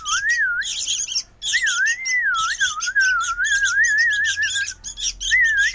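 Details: Noisy sooty-headed bulbul chick: grating, rasping calls come in dense bursts, accompanied almost throughout by a smooth, undulating whistle.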